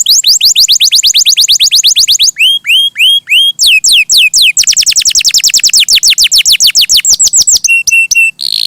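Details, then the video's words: Canary performing a long varied song: quick falling trills, a set of slow upswept whistles, more rapid sweeping runs, then a few flat steady tones and a harsh buzzy ending. "Suara Burung Kenari!!! GACOR MERDU"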